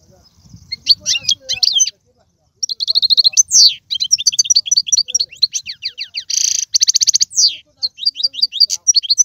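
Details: European goldfinch song played to stimulate a pet goldfinch to sing: high, fast twittering notes and buzzy trills, a brief pause near two seconds, then rapid tinkling chirps and a dense ringing trill.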